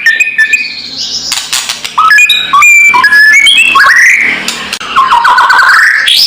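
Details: White-rumped shama rival-provoking call: a busy sequence of whistled notes jumping between pitches, with slurred rising and falling phrases and a long sweeping whistle near the end.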